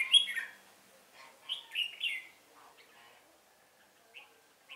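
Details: Lure-bird red-whiskered bulbul during a trapping session, 1 November 2017: a loud, bright warble at the start, a second lilting phrase after about a second and a half, then two faint short notes.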